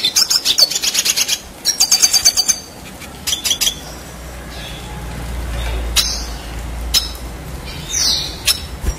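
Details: Red siskin in long, continuous 'gacor ngerol' song used as tutor material for contest birds: bursts of rapid, high twittering notes in the first seconds, then scattered sharp chips over low background hum.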